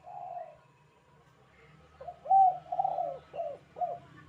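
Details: Spotted dove giving its lively 'kuk 2' call for training other doves: a single soft coo, a pause, then a loud rolling burst of four mellow downcurved notes over a faint low hum.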